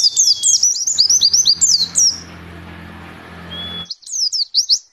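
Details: Warbling white-eye tutor song in 'nembak' style, for pleci training, played in the morning at dew time: quick bright chirps and swooping whistles, a stretch of low hum with a thin whistle, then more sharp high notes.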